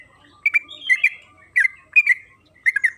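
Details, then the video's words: Yellow-vented bulbul (trucukan kebo) singing in a recording used to prompt the bird to sing: a few short bursts of slurred, bubbly double notes, spaced by brief pauses in a quiet setting. "Suara burung TRUCUKAN KEBO Gacor ropel Panjang"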